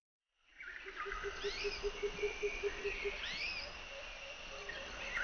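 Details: White-throated laughingthrush calls: a steady run of about ten low, evenly spaced hooting pulses, mixed with high, sharply rising chirps and thin whistles over a constant outdoor hiss.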